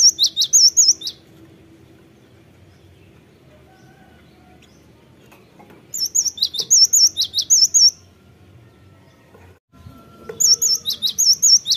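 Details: Cinereous tit singing, played as a lure to prompt birds into song: three short bursts of sharp, high, whistled notes repeated quickly, with long quiet gaps of faint low rumble between them.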